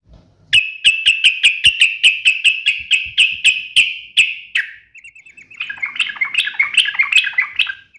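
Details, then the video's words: Sooty-headed bulbul in lively 'gacor' form, delivering sharp 'uplik nembak ropel' style song: a fast run of about fifteen clipped, piercing chips, a short pause, then a thin trill and a busier warbled chatter. "trucukan gacor UPLIK NEMBAK ROPEL TAJAM"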